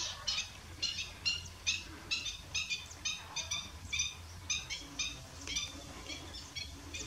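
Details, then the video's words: Marbled duck calling at S'Albufera on 6 June 2023, a quick run of bright, high, squeaky nasal notes, roughly two per second, steady and chattering, over a low background rumble. "Marbled Duck"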